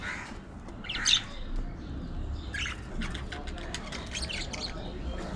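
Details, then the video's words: Pet budgerigars playing, squabbling and grooming together, giving scattered scratchy chirps and short warbled notes over a steady low background hum. "Budgies Unfiltered! Love, Fights, Fun & Chatter All Day Long"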